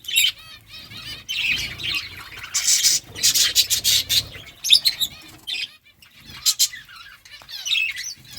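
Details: Pet budgies chirping while eating food: warbling, harmonic chirps in short bursts, interrupted by loud broadband rustling and wing flutters.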